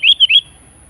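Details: Sooty-headed bulbul challenging a rival: one short whistled phrase of three clear, slightly rising notes run together, then quiet.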